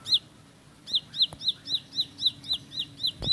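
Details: Bar-winged prinia delivering rapid song: a single high downslurred note, a short pause, then a steady string of about ten sharp whistled notes, roughly four each second, over light background hiss.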